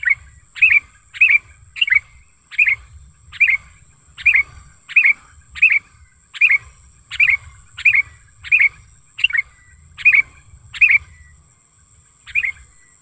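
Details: Natural recording of a vocal wild sooty-headed bulbul used as a lure: a long run of about eighteen sharp chirped notes at an uneven quick pace, then a pause and one more, under a continuous high whine.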